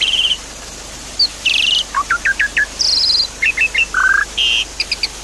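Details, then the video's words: Javan pied starling song, played to restart a caged bird that stopped singing: grating buzzy bursts between evenly repeated upswept chirps, a low buzzy trill and short high double notes. "Therapy Pancingan Jalak Suren Macet Bunyi"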